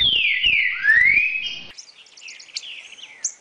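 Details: Song of a green-winged saltator played to get a captive bird singing: strong descending and then rising whistled glides for over a second, then fading into faint high chirps and a steady thin whistle.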